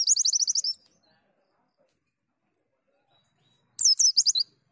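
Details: Lively caged white-eye song used as therapy audio, with a rapid string of high, sweet chattering notes, then silence, then another fast burst of shrill twittering near the end.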